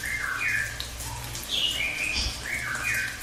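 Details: Cililin delivering its long rolling song as master audio for songbirds: clear, bright whistled notes sliding up and down in short linked phrases, with a constant splashing water background and faint low hum.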